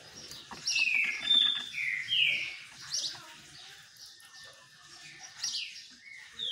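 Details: Green-winged saltator singing during a sun bath, held in captivity: a burst of rich whistled slurred notes early on, then softer scattered chirps and a final short whistle.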